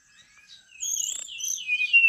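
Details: Brown-chested jungle flycatcher singing energetically, used as training and luring audio: faint thin whistles at first, then louder high warbled phrases with rising and falling slurs and a sharp upward ending.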